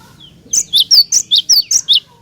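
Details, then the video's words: A burst of seven loud, evenly spaced high double notes from a cinereous tit in persistent song, aimed at prompting other tits to sing back. "Jika Glatik Batu Anda Di Pancing Dengan Kicauan Glatik Batu Gacor Ini"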